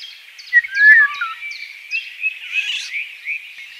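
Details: A Eurasian golden oriole (Oriolus oriolus) gives a brief, fluty whistled phrase that dips and rises, while higher, thin repeated chirps and twittering from other birds run throughout.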